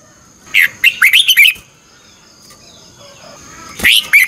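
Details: Red-whiskered bulbul, a kept bird, in morning singing training, used as a lure voice to train other bulbuls, with a fiery 'chè' style and double-twisting voice: quick bursts of warbled, slurred notes, a pause, then another burst, over a faint steady high tone.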